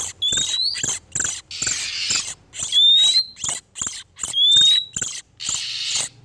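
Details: Male and female oriental magpie-robins in breeding condition, a lure sound for trapping wild birds: scratchy high chattering pulses alternating with longer hissing rasps, plus three clear rising whistled slides.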